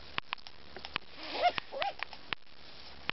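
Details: Long-eared owl chicks in Askania-Nova, agitated by an approaching ornithologist: sharp, irregular bill snaps about every few tenths of a second, with a brief wavering, hissing squeal; the calls drew the parents in.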